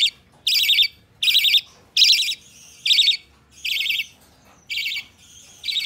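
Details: Rasping, pulsed calls from a hand-tame budgerigar chick, recorded 12 November 2020; roughly seven harsh bursts with longer gaps between them and faint low background noise.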